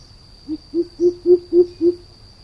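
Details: Clear, deep 'boop' notes from a greater coucal, six in a row at a steady rhythm, swelling and rising slightly through the series. A thin high whine runs underneath throughout.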